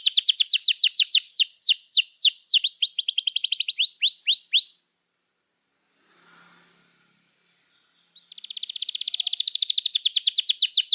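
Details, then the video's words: Canary in continuous song used as a lure for young birds learning to sing. A rapid string of falling notes and downslurred whistles runs for about five seconds. A silent pause follows, then a fast, rising-in-volume buzzy trill. "Kenari Gacor Panjang Cuit Cuit Emosi, Pancingan Kenari Paud Belajar Bunyi, terapi ampuh kenari macet"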